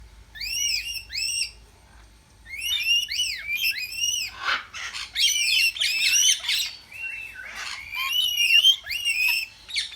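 Cockatiels give bright, arched chirps in quick bursts, broken by harsher squawky notes.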